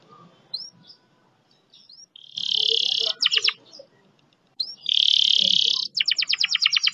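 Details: Long speed-roll canary song: soft chirps, then a loud high buzzing roll, a burst of rapid pulsed notes, a second loud roll and another fast trill, over faint low background murmur.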